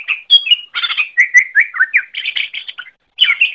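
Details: Greater green leafbird in full song, used for training other birds: dense, nonstop chatter mixing whistled slurs, buzzy rattles and quick chirps, with one short break.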